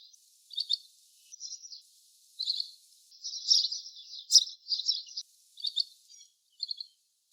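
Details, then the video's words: Little green bee-eater uttering a busy sequence of thin, high, rattling trills, short bursts following one another irregularly at about seventy per minute, with a brief sharp click in the middle. "Call of Little green bee eater | Sound of little green bee-eater | Voice of green beeeater"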